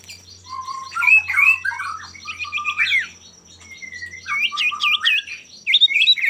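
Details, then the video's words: Male common iora in lively song, used to goad rivals into singing. Tumbling jumble of warbled, looping whistles, some lower and gliding, some quick upward flicks, with a faint low hum beneath. "pancingan burung sirtu/cipoh gacor jantan bikin lawan ikutan gacor"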